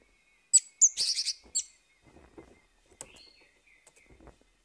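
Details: Morning orange-headed thrush song meant to prompt a bird that has stopped singing: a burst of high, buzzy, rattling notes around one second, followed by softer scattered chirps and a faint sustained tone.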